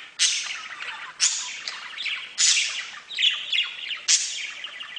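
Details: Budgerigars in a bird-house chirp and chatter in bright, scratchy bursts that rise and tumble roughly every second.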